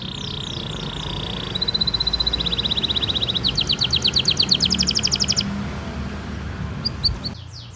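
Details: Long gacor canary song played as a trigger and tutor for young canaries and reluctant singers. Steady whistled tones give way to rapid, evenly pulsed rolls and high trills over a constant hiss of background noise.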